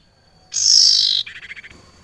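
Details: Female barn owl calling a male: one loud hoarse screech of under a second, then a quick series of about six rapid clicking or chattering notes fading out.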